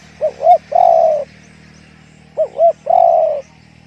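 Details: Two phrases from a spotted dove singing in the 'one kuk, big voice' style. Each is a double short coo followed by a long mellow coo, separated by about a second of quiet. A low steady hum runs underneath.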